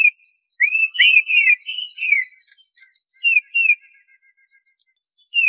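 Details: Tufted titmouse song of slurred whistled notes in a run, followed by softer chirps and another pair of downslurred whistles, with a faint click near the start.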